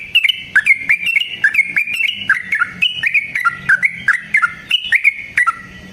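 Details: Yellow-vented bulbul singing, used as a lure: a lively run of bubbly, liquid notes about two to three per second, with short rising and falling phrases in a steady chattering rhythm.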